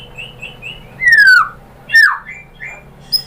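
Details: White-rumped shama lure song meant to set other shamas singing: soft, spaced whistles, then two loud, long whistles that slide downward, with quiet gaps in between.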